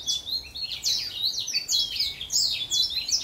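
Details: A young orange house finch sings a fast, bubbling warble of high, varied notes, with short sweeping slurs strung together without pause. Nothing else is heard.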